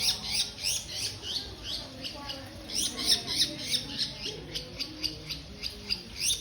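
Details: Long-tailed shrike (cendet) giving a loud series of grating, chattering notes in quick bursts, roughly three per second, slightly uneven in spacing, over a quiet background murmur.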